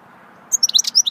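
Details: Brief swittey goldfinch phrase: half a second of quick, bright, high-pitched twittering notes after silence.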